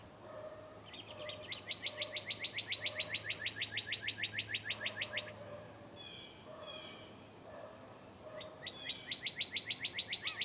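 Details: Birds outside at about 8 in the morning: a long, rapid, evenly spaced trill of about four seconds, a pause with scattered chirps, then the trill starts again, with quieter birds calling lower behind it.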